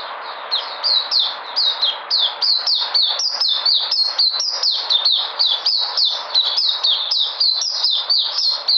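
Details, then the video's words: A white-eye on 13 February 2020, said to be back in energy, delivers a long, lively string of high, sharp, downslurred notes. They come at a quick, even pace of roughly four per second. "Puteh Sunday coming back in energy"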